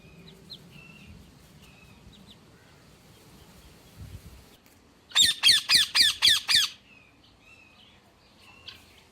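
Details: Ringneck parakeet giving a fast, even run of six shrill, harsh screeches lasting about one and a half seconds, with soft chirps from other birds before and after.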